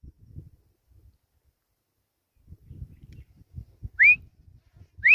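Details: Grey francolin calling: after scattered low rustling and thuds, a loud whistled upslurred note arrives near four seconds, with a second starting right at the end.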